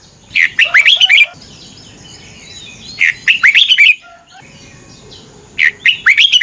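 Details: Morning training song of a red-whiskered bulbul singing in contest style: three lively bursts of rapid slurred whistles, each under a second long, with soft low tones and a faint bird twitter between them.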